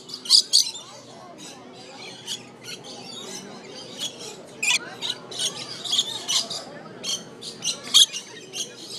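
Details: Rainbow lorikeets at the Aquarium of the Pacific in Long Beach, California, giving sharp, grating shrieks, scattered through a steady background of rasping chatter. A few loud squawks stand out near the start and the end.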